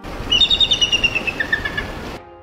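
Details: Bald Eagle giving a loud, somewhat shrill call: a quick series of about a dozen thin, high chattering notes that step downward in pitch over about one and a half seconds, over a hissy, noisy background.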